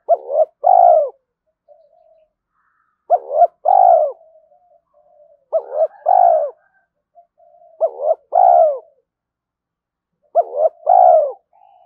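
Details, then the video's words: Spotted dove calling in early morning to stir fighting and draw in rivals: five steady phrases of two clipped notes and a longer rolling coo, spaced roughly every two and a half seconds, with soft low mutters between. "Tiếng chim cu gáy thúc đấu và chiêu bổi lúc sáng sớm"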